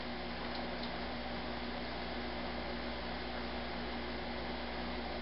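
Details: Steady indoor hum and broadband fan-like noise fill the room throughout, with no animal voice heard.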